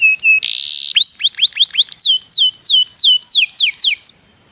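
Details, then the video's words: Canary lure song meant to provoke other canaries into singing. A clear whistle gives way to a dense buzzy rattle, then a fast run of steep, descending whistled notes that speeds up before stopping abruptly. "PANCINGAN JITU SUARA BURUNG KENARI"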